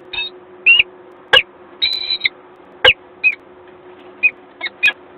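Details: Peregrine falcon at a nest in Gdańsk, Poland, on 1 April 2022: a series of short, sharp, high calls in scattered bursts, some clipped and some slightly drawn out, about ten in five seconds, over a steady low hum.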